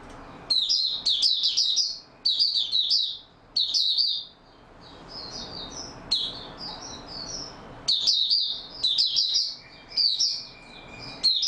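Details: Oriental white-eye recorded 28 February 2022 singing in stable form, repeated high-pitched rapid warbling phrases roughly every one to one and a half seconds, with a quieter run of soft twitters midway.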